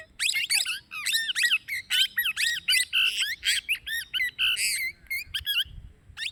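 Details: Fast, insistent series of squeaky, warbling chirps from a plum-headed parakeet, about four notes a second with sliding pitch, over a faint low background rumble.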